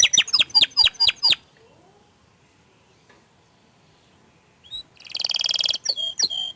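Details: Orange frost canary opens with a burst of quick sharp chirps, falls silent for several seconds, then resumes with a dense buzzy trill and clipped whistled notes.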